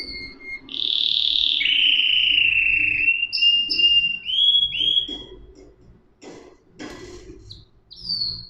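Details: Canary song with long smooth whistled notes that glide downward, followed by short rising phrases and some faint clicks and rustling in the background.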